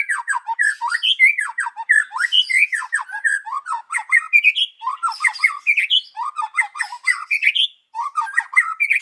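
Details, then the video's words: Morning song of a white-rumped shama used to lure other birds: a dense, unbroken stream of rich, varied phrases mixing squeaky, harsh notes with sliding whistles, loud throughout. "PANCINGAN MURAI BATU PAGI HARI 98% IKUT BUNYI || MURAI BATU GACOR"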